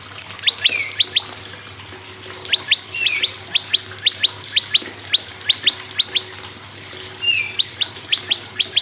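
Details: Lively prinia song meant to lure other birds into singing: fast, high, clipped chips in repeated bursts of three or four, nearly continuous, with an occasional lower slurred note and soft background hiss.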